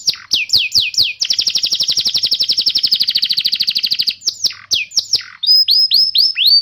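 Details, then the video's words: Training song of a canary for coaching young canaries and prompting silent ones to sing: quick down-slurred whistles, a sustained rapid trill around three seconds long, then separate sweeping whistled notes. "Suara burung kenari gacor Pancingan kenari paud kenari macet bunnyi"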